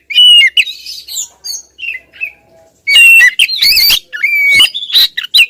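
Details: Female Oriental magpie-robin calling persistently at the male. Whistled notes and scratchy calls give way to a quieter pause, then a loud burst of harsh chatter and level whistles.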